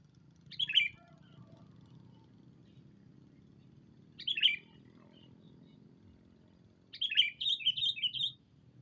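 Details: Sooty-headed bulbul calling a rival on a lure recording: two separate bright chirps, then a quick bubbling run of five or six notes, over a steady low background noise.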